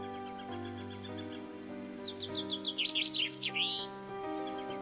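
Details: Chaffinch at sunrise over a field in Zealand, Denmark, September 2010: a bright phrase of about a dozen quick, high notes tumbling downward to a short flourish, over sustained droning instrumental music.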